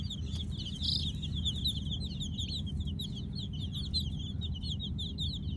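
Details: Kolor baby chicks at night, a crowd of them giving rapid, high, thin chirps that overlap in a steady stream, with a few sharper peeps standing out, over a constant low rumbling hum.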